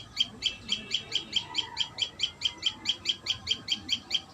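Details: At the nest, a common tailorbird gives bright, high chirps in a fast, even run, roughly twenty notes in just over four seconds, with a quiet background.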